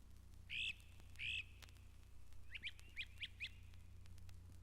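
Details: Great Crested Flycatcher, a dominant voice at Mountain Lake Sanctuary, Lake Wales, Florida: two loud, harsh, rising wheep calls, then a quick run of four short, sharp notes, over a steady low hum.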